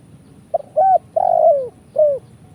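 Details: Spotted dove call used to attract birds for trapping in Indonesia: a clipped note, a short coo, a long purring coo gliding down, and a final shorter falling coo.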